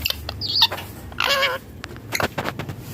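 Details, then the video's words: Rose-ringed parakeet giving a harsh, nasal squawk with stacked overtones, lasting about a third of a second, preceded by a short high chirp and surrounded by scattered clicks and taps. "Ringneck Parrot Natural Sounds"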